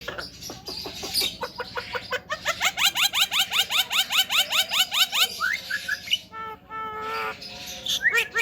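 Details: Male Javan myna, a caged talking bird, singing; a fast run of sharp rising whistled notes repeated about twice a second, then squeaky chatter and a short harmonic phrase.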